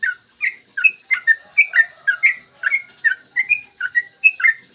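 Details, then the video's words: Yellow-vented bulbul pouring out fast, continuous song meant to stimulate other bulbuls to sing: lively, liquid whistled notes in quick clusters, a few rising and a few falling. "PANCINGAN TRUCUKAN AGAR BUNYI burung TRUCUKAN GACOR ROPEL PANJANG"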